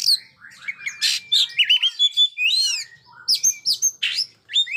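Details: Oriental magpie-robin singing nonstop, meant as a tutor for young birds not yet singing: bright whistled notes, buzzy bursts and swooping slurs packed closely together in a lively, varied phrase.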